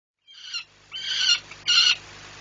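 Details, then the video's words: Male peregrine falcon at the PKN Orlen plant in Płock, Poland, yelling while watching flights on a July morning in 2017, giving three harsh, raspy, strongly harmonic squawks with short gaps between them. "as flight observer. Even then he yells"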